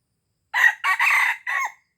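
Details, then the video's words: Crow of a red junglefowl from Aceh, played to lure wild junglefowl. It is a brisk, raspy four-part crow lasting about a second and a quarter, with a longer third note and a clipped final note. Nothing else is audible. "Pikat Ayam Hutan Ori"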